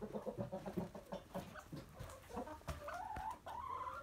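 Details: Hens and a rooster in their coop on an ordinary day: a quick series of low, evenly repeated clucks, followed by rising, drawn-out tonal calls, with occasional knocks in the background.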